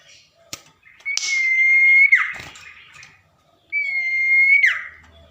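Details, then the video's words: Tame common iora singing at night: two long, level, pure whistles, each ending in a quick downward slur, spaced a few seconds apart in a quiet setting with faint hum. "Burung Sirpu/cipoh jinak gacor saat di malam hari"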